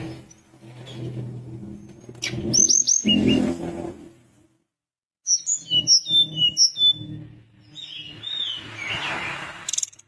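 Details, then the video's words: Sunda minivet, described as singing freely. After a silent break, a quick run of high, clear whistled notes falls in pitch. It is framed by sharp high chips earlier, low rumbling background noise and a hissy patch at the end. "Tledekan gunung gacor bikin lawan emosi langsung bunyi"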